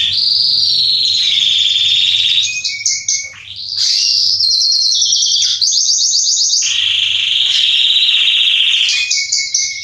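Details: Singing male Belgian canary of the Salsa strain, a track for warming up canaries. Long chains of fast trills alternate with a short dip into lower swooping notes midway, then more rolling trills. A faint hum runs underneath.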